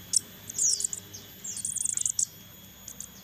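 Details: Captive crested jay chicks during hand-feeding: two brief bursts of very high, squeaky chirps separated by a short pause, then a couple of faint chirps.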